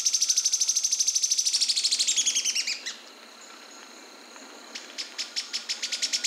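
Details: Song of a yellow-chinned spinetail: a fast, high rattle that slides slightly downward and stops near three seconds, then after a pause a second run of quick notes begins.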